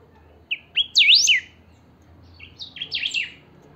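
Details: Saffron finch singing pica style, meant as playback to get other finches singing: a loud phrase of chips and swooping sweeps, then a softer, similar phrase after a short gap.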